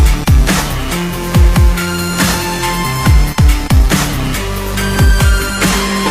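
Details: Heavy electronic dance music with booming bass drops, thumping beats and synth tones; no bird or other animal voice.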